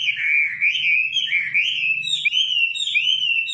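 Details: Nightingale in song, giving a strong fluid warble of swooping whistled notes that climb slightly and loop back, with a soft low hum in the background.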